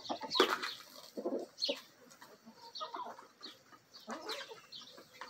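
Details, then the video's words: Feeding backyard chickens, a Bielefelder and Golden Cuckoo Marans mix rooster with mixed-breed hens; loud bursts of clucking and squawks separated by quieter pecking sounds. "My Chickens: ASMR Bielefeld Marans Rooster & Hens Feeding Frenzy!"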